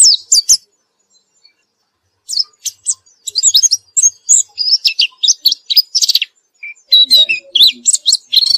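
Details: After therapy the white-eye sings on and on: a dense, varied jumble of very high chirps, trills and quick twittered notes running in bursts, with a few lower soft notes near the end.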